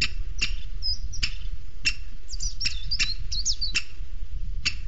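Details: Booted eagle chick at a webcam nest in Sierra de Guadarrama National Park, fed a weasel by the female, gives sharp, high chips about twice a second, with thin squealing whistles in between, over a steady low rumble of wind.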